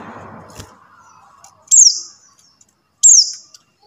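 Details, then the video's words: Buxtoni white-eye call used to coax quiet white-eyes into song. Two piercing, high notes swoop quickly downward about a second and a quarter apart, with faint low rumbling at the start. "suara CALL PLECI BUXTONI | untuk pancingan PLECI MACET BUNYI"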